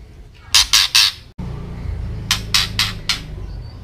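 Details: White-rumped shama ketrekan call for agitating other birds: one loud burst of three harsh rasps, then a softer run of four after a brief cut, over a low hum.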